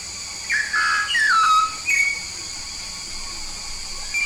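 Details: Yellow-faced myna from Papua, a frequent singer, sounding a short run of descending whistles in the first two seconds, then a single higher whistle, followed by near quiet with a faint hiss.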